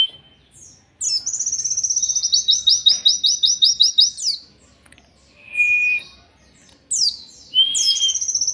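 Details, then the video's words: Oriental white-eye, 'endok tato' masteran for songbird training: a sustained run of rapid, evenly repeated high buzzy notes lasting three seconds, a short flat whistle, then downward-sweeping notes leading into another trill. "KILLER ENDOK TATO•MASTERAN BURUNG PLECI LEGENDARIS"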